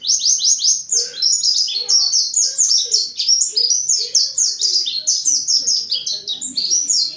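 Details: Mountain white-eye song, played as a lure to draw out singing from other white-eyes: an unbroken, rapid stream of thin, very high chirps and twitters tumbling over one another for the whole stretch, with no other sounds.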